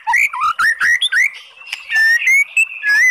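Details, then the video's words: Oriental magpie-robin singing, played to stir a lethargic bird into answering: bright whistled notes sliding up and down in quick phrases, some harsh buzzy bursts, then long steady whistles. "SUARA MURAI BATU bikin EMOSI JADI Naik BIRAHI NYAUT ¦ PANCINGAN MURAI"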